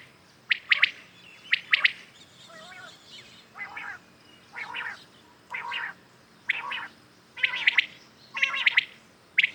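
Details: Common quails on a morning recording give sharp triple-note calls. Softer, rougher phrases fall in the middle, and loud clear triplets return toward the end.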